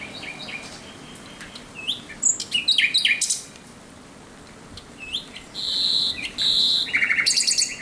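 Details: Thrush nightingale singing in darkness, 17 May 2023: scattered sharp chirps and clicks, a pause, then sustained piping notes and a quick rattling trill.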